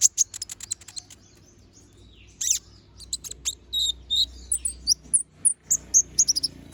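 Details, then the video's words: Little spiderhunter singing vigorously in a sharp-toned fill-in song used for tutoring birds. Rapid high ticking notes build into loud, piercing chirp series with brief pauses. "Kolibri Ninja || Masteran Suara Burung Konin Gacor Bongkar Isian Suara Tajam"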